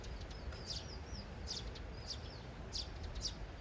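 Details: Sparrows, three birds, one male courting a female while a third imitates him; short bright chirps and arched notes around 4-6k range, repeated irregularly, with faint steady low background hum.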